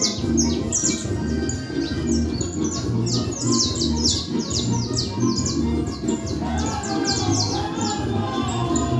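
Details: Caged creole canary (canario criollo) in Manhattan pouring out cruzeta-style song: dense runs of fast, high, descending whistled sweeps, about 35 bursts a minute, over a low rumbling hum.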